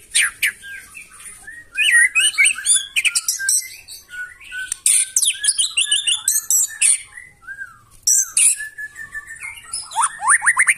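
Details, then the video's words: Loud White-rumped shama song intended to provoke rival birds into singing, a dense continuous stream of scratchy high chatter, quick stuttering trills and whistled slurs, ending in a rapid series of rising notes. "KICAUAN MURAI BATU NEMBAK KASAR AUTO NGAMUK SEKALI DENGAR LANGSUNG NYAUT"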